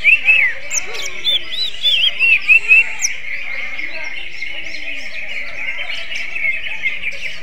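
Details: Greater green leafbird with a song that sounds like an oriental magpie-robin: several loud, looping whistled phrases in the first few seconds, then fading into steady high twittering from other birds.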